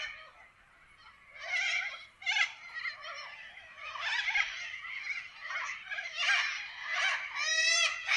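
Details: Wild corellas in Australian forest screech harshly and raucously, with many overlapping rasping squawks forming a continuous noisy chorus in irregular bursts.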